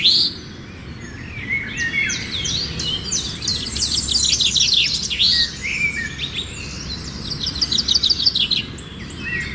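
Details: Sunrise birdsong from village surroundings: several birds chirping and twittering at once, dense high warbled phrases with quick repeated notes, over a steady low background hum.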